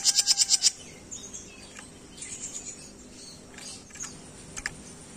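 A jenggot bird opens with a quick burst of about seven very high, sharp chirps in under a second, followed by faint scattered high twitters.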